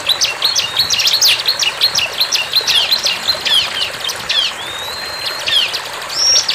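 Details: Lively bar-winged prinia song in the wild: rapid sharp high chirps at first, easing into a long slurred whistle and a thin level note near the end.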